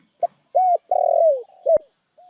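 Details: Spotted dove giving one cooing phrase: a short soft note, a clipped hollow coo, then a long purring coo sliding downward, followed by a further brief coo and a sharp click.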